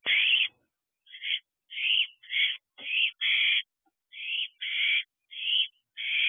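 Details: Owlets at a nest box at night in late June, giving harsh rasping hiss-like screeches, each about half a second long, repeated at uneven intervals with short gaps of silence.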